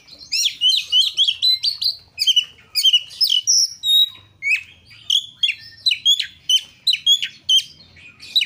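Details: Kacer, or Oriental magpie-robin, singing rich 'luxury material' phrases: a fast, continuous run of varied high whistles, chips and slurred notes, about three per second, with almost no pauses.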